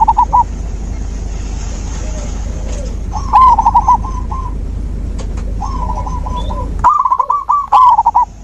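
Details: Zebra dove song played as nature therapy to prompt a dove that has stopped singing; repeated bursts of rapid, bubbling coos with quick stuttering notes, several overlapping callers and steady background hiss.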